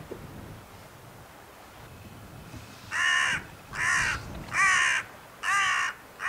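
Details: On 31 January 2021 in Scheveningen, Netherlands, after a few quiet seconds, a carrion crow gives four harsh, hoarse caws about one per second, with a fifth just beginning at the end.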